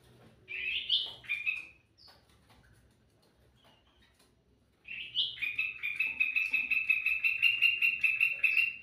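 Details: Lively song of a sooty-headed bulbul, played to lure other birds: two short warbled phrases, a pause, then another phrase running into a long, fast, even series of sharp chirps, several per second, lasting about four seconds.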